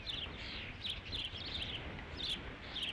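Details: Ospreys calling at the Dunrovin Ranch nest on 3 July 2016 during the fifth fish delivery. Three seconds of shrill, slurred chirps in close groups over steady rumble.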